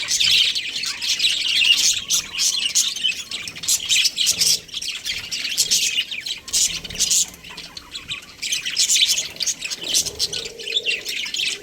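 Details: Pair of breeding budgerigars keeping up dense, high, scratchy chatter and chirps with uneven loud surges, and a faint low hum toward the end.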